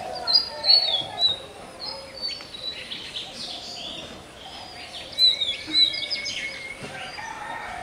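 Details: Bangladesh's national bird, the magpie robin, delivering varied high whistled notes in loose bursts, some sharp and downslurred, with a faint low hum throughout.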